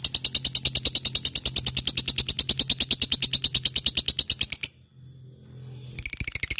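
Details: Contest-fighter lovebird in full ngekek song, with a rapid run of shrill, evenly spaced chattering notes for over four seconds. A short pause follows, then the chatter resumes, over a faint low hum.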